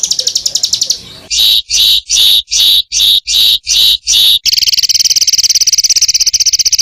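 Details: Varied song of a bird used to teach songbirds: a quick trill, then eight loud, evenly spaced ringing phrases about every half second, followed by a long, very rapid high rattle.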